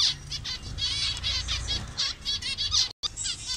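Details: Many zebra finches of different colour variations in a Bangladeshi colony, uttering repeated nasal beeps in overlapping runs, broken by a sudden brief silence near the end.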